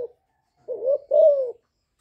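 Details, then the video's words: Young spotted dove used as a decoy to stir up wild doves: one soft hoarse double coo, a short wavering note followed by a longer, louder falling note. "Cu gáy tơ gáy giọng hạp bổi GÁY GỌI + KÈM GÙ BO chim cu gáy chu lèo bài bản kích bổi hay. Cu đất gáy"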